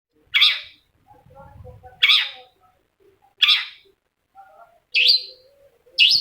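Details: Long-tailed shrike song played to provoke a silent shrike into answering: harsh, rasping notes given one at a time with pauses of about one to one and a half seconds, plus a faint low rumble between the first two.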